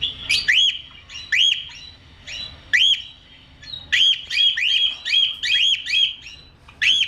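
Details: A cockatiel gives bright, repeated chirping calls with quick rising and falling inflections.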